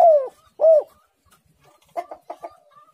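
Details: The end of a spotted dove's cooing phrase: two arched, mellow coo notes. They are followed by a few short, soft clucking notes and a faint thin whistle.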